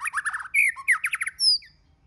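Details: Brief, rapid burst of white-rumped shama song used to stimulate singing: chattering slurred notes, a loud rich whistle, then a thin high falling whistle.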